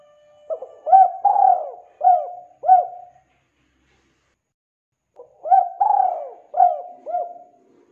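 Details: Spotted dove, or tekukur, in lively gacor song used as a lure for birds that have stopped singing: two matching phrases of low coos, a short note, a drawn-out rolling coo, then two or three clipped coos, repeated after a pause.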